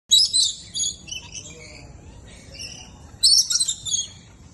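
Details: Parrot calls at KL Bird Park, Malaysia: harsh, high screeching bursts at the start and again near the end, with softer chirps between.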